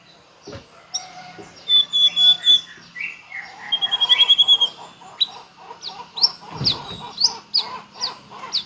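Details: White-rumped shama in full song with its repertoire of filler phrases: rapid varied run of sharp high chirps, short whistled notes and a fast trill, packed densely with almost no pauses.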